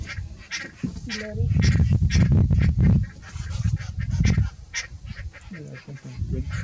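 Lilac-breasted roller giving harsh, rasping croaks, about six spaced a second or less apart, over heavy low rumbling wind.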